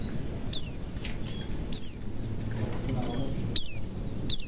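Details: Sparse white-eye whistles for prompting other birds to sing: four sharp downward-sliding high notes spaced over a couple of seconds, with steady low background noise.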